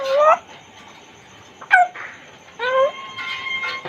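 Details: A caged African grey (Congo grey) parrot talks in three short, rising, nasal, whistle-toned phrases spread over four seconds, with a faint room hum between them.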